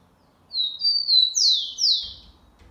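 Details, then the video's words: Rufous-collared sparrow singing the Xavante song type, recorded 4 October 2020: two level whistled notes followed by two loud descending slurred whistles, a clear, affirmative-sounding phrase, with faint low background noise. "Tico Tico Xavante cantando muito com um dos seus variados cantos."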